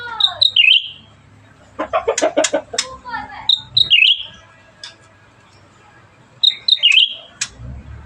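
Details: Singing cucak ranting, a bulbul, active and in full voice: bright whistled phrases near the top, a high note dipping then warbling, repeated three times, with a burst of lower chattery notes in between.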